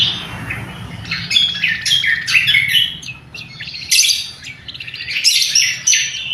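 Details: Lesser green leafbird singing a loud, sharp lure and training song, recorded clean without added effects: bursts of bright, high chattering notes and fast buzzy trills in short phrases, with a low hum underneath.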